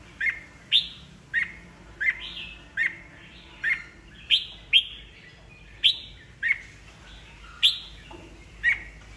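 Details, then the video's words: Kept red-whiskered bulbul, old and wild-caught, singing to provoke rivals into song duels: a long steady series of short bright chirping whistles, about fourteen in nine seconds, some paired in quick doublets. "Chào mào già rừng bọng cực hay, siêu kích bổi, bổi nghe là hót đấu"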